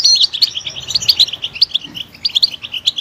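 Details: European goldfinch in loud song, used to motivate other goldfinches; quick liquid twitters and tinkling notes strung together in short bursts, each followed by a small pause, over faint low background hum.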